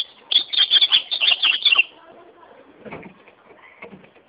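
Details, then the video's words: Ultramarine grosbeak singing: one loud, bright phrase of about a dozen quick, sharp notes lasting roughly one and a half seconds, dropping slightly at the end, followed by faint low rustles and soft scattered notes. "azulão cantando"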